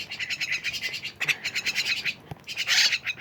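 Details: Lively myna chatter: a steady stream of harsh, rapid pulsed notes, several per second, running almost without pause and swelling into a louder, rougher burst near the end.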